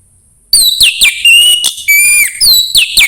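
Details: Orange-headed thrush song played to encourage a bird to sing: a varied, continuous string of loud whistled notes, some steady, some sliding up or down, with quick chips between them.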